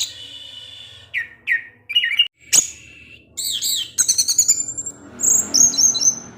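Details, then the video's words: Orange-headed thrush singing in the evening, its song provoking other orange-headed thrushes; varied phrases of rising and falling whistles and buzzy notes, mostly high-pitched, with short pauses between phrases. "Anis Merah Teler DiSORE HARI, Kicauannya menggoda ANIS MERAH yg lain. sehingga ANIS MERAH terpancing"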